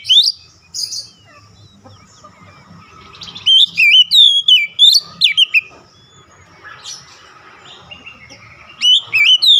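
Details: Oriental magpie-robin (kacer) song, meant to restore a stressed bird to vigorous singing: bursts of loud, sweeping, slurred whistles in quick runs of notes, separated by quieter gaps with soft chatter and faint low background hum.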